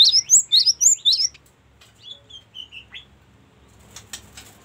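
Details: Cinereous tit song variation used for tutoring caged songbirds: a quick burst of looping high swept notes for just over a second, then a few faint thin whistles and scattered soft ticks.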